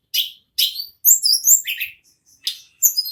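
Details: Ashy tailorbird singing non-stop in the ngerol manner, called mountain tledekan or sulingan: separated scratchy high notes followed by a flowing series of piercing whistles and slurred chirps, then a pause and another scratchy note.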